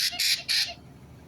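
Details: White-bellied caique giving three harsh, broadband squawks in quick succession, then quiet.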